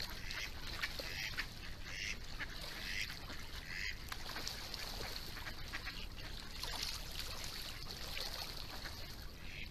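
Mallard giving several short, nasal quacks spaced about a second apart, over steady wind or water rumble and hiss.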